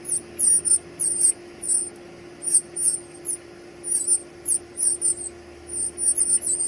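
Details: Baby birds being fed give high, thin squeaky begging notes in quick bursts of two to four, repeated steadily throughout over a constant low electrical hum.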